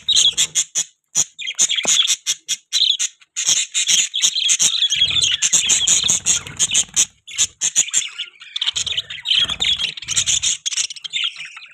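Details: Pet budgerigars chirp continuously: clicky, rapid high notes at first, then dense scratchy warbling and chatter running on for several seconds with brief breaks.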